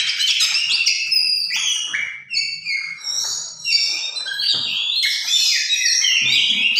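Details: A tame oriental magpie-robin delivers a long, fast, varied song of high whistles, descending slurs and scratchy chatter, nearly unbroken, with faint low knocks in the background.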